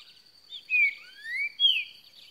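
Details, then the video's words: Green-winged saltator phrase: a falling whistle, a long rising slurred whistle, then a sharp falling note, rich and clear against a constant thin high-pitched hum. "Trinca ferro cantando muito"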